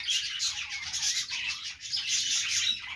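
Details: Playing budgies keep up a busy, unbroken stream of bright chirps, squawky notes and fast warbling that rises and dips in loudness, several birds seemingly calling at once.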